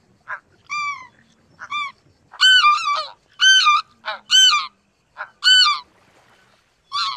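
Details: Greater white-fronted goose uttering clear, ringing, rising-then-falling yelps, some doubled, spaced irregularly under a second apart, against a quiet background.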